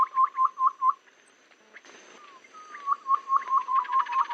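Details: Babbler lure call used for bird trapping, described as suiting every season, rainy or dry: a series of short, clear, upturned notes at a steady mid pitch, about four in quick succession, a pause with a soft slurred whistle, then a longer run of the same notes.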